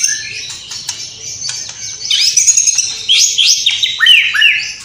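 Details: White-rumped shama from Cililin singing vigorously, its song filled with mimicked sparrow, fighting lovebird and kapas tembak calls: soft high buzzes, then loud slurred whistles swooping down from high notes, delivered rapidly in varied phrases.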